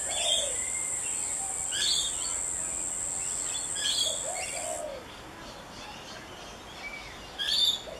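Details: Rainbow lorikeet on the Gold Coast, recorded with a Canon SX50 camera: short, harsh, screechy bursts near two, four and eight seconds, mixed with softer chirps, over a steady high insect drone that cuts out halfway.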